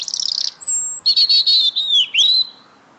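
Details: A small singing bird welcomes the returning person after work with a rapid stuttering trill, a thin high whistle, then a chain of loud warbled and whistled notes with rising and falling slurs, tapering off.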